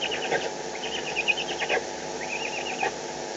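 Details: Eurasian eagle-owls fighting over prey in the Eifel on 21 May 2020: three series of quick, harsh, stuttering notes, each roughly a second long, over a constant noisy background.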